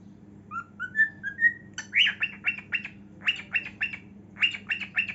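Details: Cockatiel singing while dancing: a series of clear whistled notes, each rising slightly higher, followed by groups of buzzy, chirpy syllables with short pauses, over a faint low hum.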